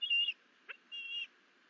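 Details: Osprey at the nest, 30 June 2022, morning, after a live duckling prey delivery. Two clear whistled calls, short then longer and level, separated by a brief click.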